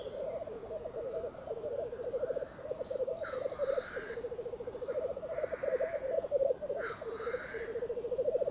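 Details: Several male Black Grouse (at least 5 or 6 blackcocks) at a lek on a bog in Sweden at dawn, frosty, -6 °C and windless, overlap in a steady, low, dove-like bubbling, broken every couple of seconds by harsh, rising hissed sneezes.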